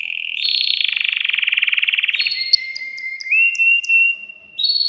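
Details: Excited male canary in a cage stimulating a female for mating: a fast pulsing trill followed by a long, steady, pure whistled note that steps up in pitch.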